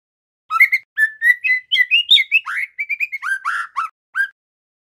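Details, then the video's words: Juvenile male white-rumped shama practising its song: a run of about twenty varied whistled and chirpy notes, some stepping upward, followed by lower slurred whistles and a final short note after a pause. "Suara murai TROTOL belajar bunyi GACOR"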